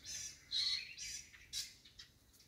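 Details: Young wild-born white-rumped shama singing loud, rich whistled phrases, with a sustained clear note followed by quick rising and falling chirps that fade into softer twitters.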